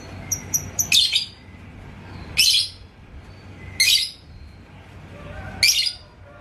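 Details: Lovebird, labet koneng, in Indonesia, stirred by an opponent's song to sing ngekek. A few thin high ticks open the recording, then four harsh, piercing squawk bursts follow at uneven gaps of one to two seconds.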